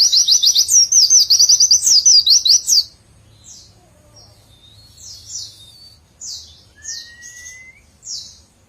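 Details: White-eye in dense 'ngecer' song. High, rapid whistled 'witwitwit' notes race for about three seconds, then stop abruptly, followed by sparse, separate high chirps and one thin rising whistle.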